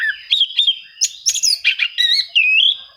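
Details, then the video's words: Rival-seeking song of an Oriental magpie-robin, meant to goad reluctant birds into song: a fast run of varied slurred whistles, chirps and buzzy notes, barely pausing, with a constant faint high-pitched tone behind. "suara kacer mencari musuh, cocok untuk memancing kacer susah bunyi"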